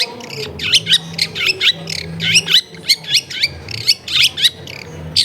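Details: Long-tailed shrike tutor recording made at home in a busy neighbourhood. Harsh, scratchy notes repeat rapidly, several a second, in a continuous chattering stream with faint low background hum.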